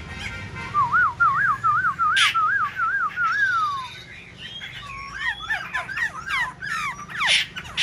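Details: Black-throated laughingthrush, a kept songbird, sings while dancing with spread wings and fanned tail: a rolling, undulating whistled phrase of repeated wavy notes, then a quick run of varied sharp rising and falling whistles.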